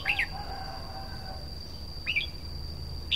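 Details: Red-whiskered bulbul with three quick, clipped warbled phrases roughly a second apart, after a faint low whistle at the start. A steady high tone hums underneath.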